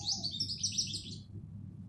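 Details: Black sparrow chirping: a rapid run of high, sharp chirps that stops after about a second, with a steady low hum underneath.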